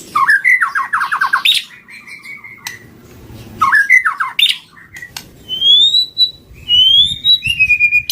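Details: White-rumped shama song as a trapping lure: fast tumbling note runs and harsh bursts, then long, pure, slightly rising whistles, over a low background hum.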